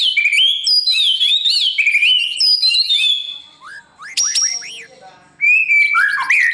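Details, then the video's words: Morning training song of a white-rumped shama for competition: fluid warbled whistles sliding up and down, a piercing high note, rapid chirps, then a steady whistled phrase. "Chòe lửa hót sáng luyện giọng cho bổi hót đấu căng lửa , chòe lửa luyện giọng"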